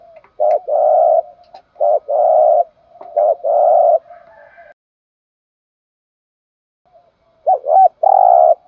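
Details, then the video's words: Spotted dove coos, used to excite other doves into calling: three quick phrases of a sharp note and a long mellow coo, a silence of about three seconds, then another phrase. "tiếng chim chim cu gáy kích bổi nhanh gáy"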